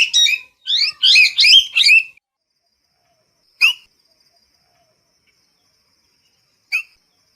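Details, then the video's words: Parrot letting out a quick cluster of five harsh, rasping squawks, then two lone sharp screeches spaced several seconds apart in otherwise quiet surroundings. "เสียงนกแก้ว, Parrot sound"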